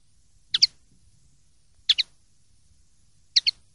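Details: Common linnet from a silvestrismo clean-song recording, 2023/2024. Three paired high chirps, 'tet-tet', arrive about every one and a half seconds, bright and clipped, with faint low background murmur.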